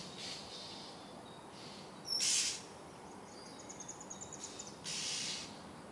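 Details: At night, an Oriental magpie-robin gives three harsh, breathy screaming bursts with a quick run of faint high whistled notes between them, against constant background hiss.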